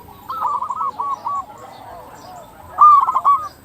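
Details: Local zebra dove in full song, played as a lure to stir other zebra doves into calling: a run of even, pulsed coos, a quiet pause, then a louder rippling phrase.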